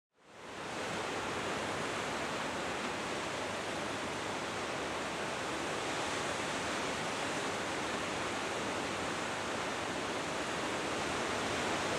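A steady, even rush of broadband noise like surf or strong wind fills the whole clip, with no animal calls.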